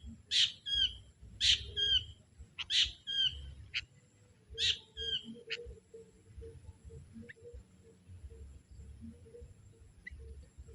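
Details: Young sooty-headed bulbul from the forest calling wild bulbuls as a lure bird: four loud, bright chattering calls spaced a second or more apart, then only faint scattered notes over soft low hum.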